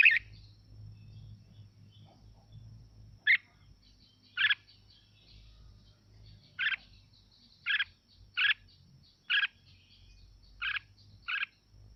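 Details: Red-whiskered bulbul, a natural 'mộc'-style singer, used to stimulate other birds to sing along. Short, bright chirped notes arrive singly and in pairs at irregular intervals of about one to two seconds over a faint low hum.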